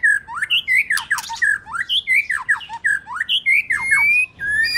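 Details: White-rumped shama singing for bird training, the female said to stimulate males: harsh, scratchy rising and falling notes repeated in quick, uneven bursts, ending in a long rising whistle.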